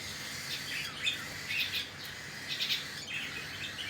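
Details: Feeding time for cockatiel chicks, with rapid scratchy chirps repeated in clusters roughly every half second to second, high and thin, over light background noise.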